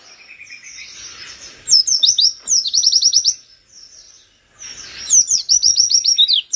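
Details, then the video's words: Caged Oriental white-eye singing energetically to provoke rival birds: fast bursts of high, thin, slurred twitters in loud runs, broken by a quieter stretch of softer warbling before another rapid burst. "Pleci gacor nembak buka paruh bikin lawan langsung kejang kejang emosi"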